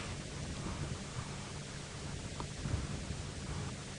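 Steady low rumbling noise like wind or a running engine, with faint rustling and no animal calls.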